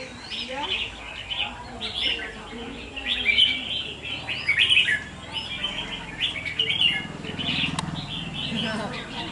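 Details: Caged Red-whiskered bulbuls at a singing contest of wild-caught birds, recorded 5 November 2023; bright chirpy warbled phrases come in bursts with pauses, and a low murmur of voices runs underneath.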